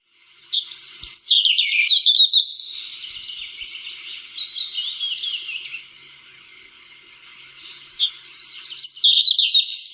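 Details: European robin recorded by the RSPB, singing with all his might and main: rich, high warbling phrases of rapid trills and thin whistles, bursts of varied notes rising and falling, with a quieter sustained stretch between louder passages.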